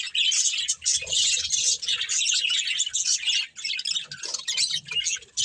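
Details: Continuous shrill chirping and chattering from a pet budgerigar breeding pair, buzzy high warbles running almost without a break and dipping briefly near the middle.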